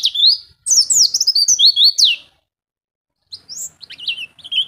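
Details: Two bursts of Oriental white-eye ngeplong song: a loud, rushed jumble of high twittering and falling whistles, a second of silence, then a quieter, scratchier warble.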